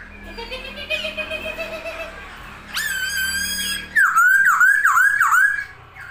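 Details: Masked laughingthrush spreading its wings while singing indoors: a long steady whistle, then a loud clear note and a string of looping, warbled whistles.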